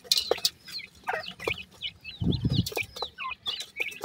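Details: Baby pheasants enjoying fresh food: sharp downslurred peeps come in short clusters, with clicks of pecking or movement and a brief low thud midway.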